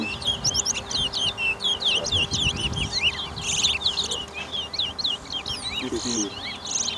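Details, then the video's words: Towa towa, the chestnut-bellied seed finch, in a singing race at a Georgetown bird ground on Lamaha Street, Guyana, 2023; a dense, continuous stream of high whistled, twisting notes, about four per second, over a low crowd murmur. "TOWA TOWA BIRD RACE"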